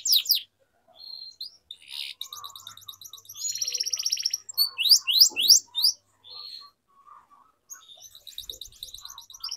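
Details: Canary singing, used as a lure for young canaries learning their song. Broken phrases of rapid high trills and sharp downslurred chirps, separated by brief silences.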